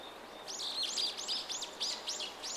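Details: Common kingfisher on a river through a residential area, off a tributary of the Tama River in Tokyo, on 20 December 2010: a quick series of about seven thin, high, sharply falling whistles over a steady background hiss.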